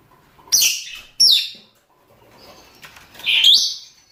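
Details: Lovebirds, rosy-faced or Fischer's, males and females calling to mate: two quick shrill, rasping squawks close together, a quiet pause with faint chatter, then a longer loud screech trailing into a thin whistle.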